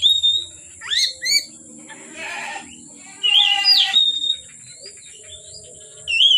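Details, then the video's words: Oriental magpie-robin singing from afternoon into dark: whistled phrases mixed with harsher scratchy, buzzy bursts, then long gaps before another clear whistle, over a constant high hiss. "Kacer Gacor Sore Sampai Gelap Malam tetap Bunyi Gacor"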